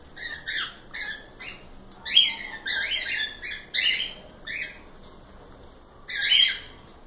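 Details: Pet cockatiels calling indoors, a series of short harsh squawking chirps with a strong band near 2–4k, coming in clusters with brief pauses over about seven seconds.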